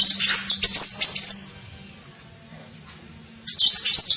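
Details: Lure call of a sunbird, locally called kolibri ninja, meant to draw birds in: rapid high squeaky twitters for over a second, a pause of about two seconds, then another shrill twittering burst.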